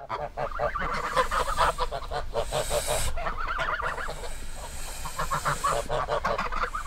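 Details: A flock of geese honks steadily, with rhythmic, nasal, harmonic calls packed closely together throughout and hardly any pause.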